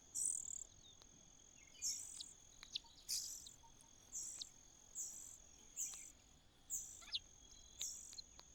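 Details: Common cuckoo in a nest with growing chicks: short, very high sibilant calls repeated roughly every second, fairly soft, with a continuous thin high whine underneath throughout.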